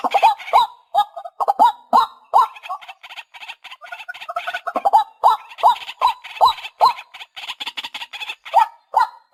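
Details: White-breasted waterhen, a lure recording for hunting: rapid, sharp, upward-hooked notes repeated about two to three times a second over a busy, crackling chorus of rougher calls.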